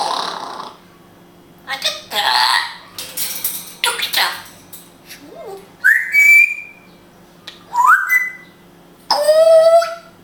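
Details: Israeli pet grey parrot speaking Hebrew. Short bursts of speech-like syllables, then clear rising whistles near the middle and a harmonic, falling whistled phrase at the end.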